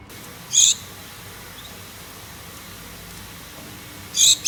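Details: Pet Gouldian finch pair calling to a mate: two brief, very high, tinny calls about three and a half seconds apart, with steady low room noise between.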